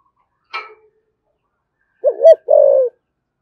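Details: Deep-voiced 'thổ sấm' spotted dove cooing in 'thúc gù' urging and calling style: a brief sharp knock, a pause, then one low phrase of a wobbling double note followed by a sustained, slightly falling coo.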